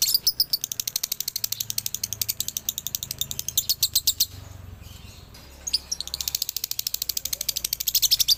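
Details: Male lovebird of Ciamis singing dobelan: rapid high-pitched chatter that pauses for about a second midway, then resumes just as fast and shrill.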